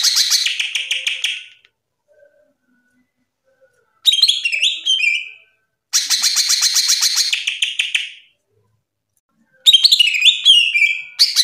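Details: Greater green leafbird song used as a mastering recording for kept songbirds: dense buzzy rattling bursts alternate with bright whistled notes that step downward, phrases separated by short silences.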